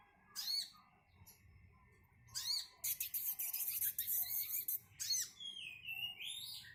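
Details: Brown-throated sunbird singing in spaced bursts: sharp high sweeps and chips, a dense chattering run in the middle, and thin rising whistles at the end.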